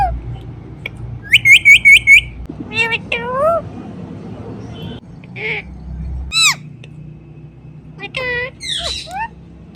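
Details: Pet talking Indian ringneck parrot uttering its natural calls: a rapid run of five shrill, ringing squawks, followed by assorted whistled slides, nasal notes and brief chatter, with low background rumble.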